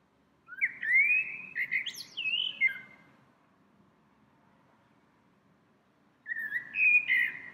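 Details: A small bird sings in a tree in spring, visiting the same tree several times a day; sweet, winding whistled phrases with rising and falling notes for about two seconds, a long pause, then a second phrase near the end.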